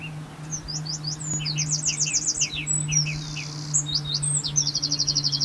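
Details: A common blackbird (Turdus merula) sings quick, high twittering phrases of rising squeaky notes, several per second, over a steady low mechanical hum.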